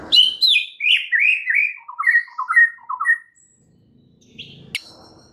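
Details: White-rumped shama song used to encourage a caged bird that has stopped singing: a descending run of quick slurred whistles and paired chirps, then a single high note and a sharp click.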